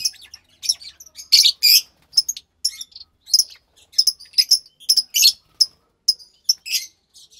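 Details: Lovebird chicks, two captive youngsters of pastel white and pastel light green colouring, March 3rd, 2021, uttering a steady series of thin, raspy high chirps, some doubled, spaced roughly every half second.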